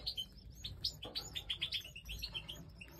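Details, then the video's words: European goldfinch chicks being fed at breeding time, a quick run of thin high chirps and short rising notes, dense and repeated several times a second, over a low background rumble. "Goldfinch Breeding Time 🐣Feeding Chicks"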